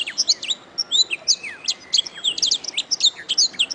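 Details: Training recording of a canary's song for songbirds to learn: quick, varied high notes, including clipped chirps, rising and falling whistled slurs and brief trills, delivered in a steady, busy stream.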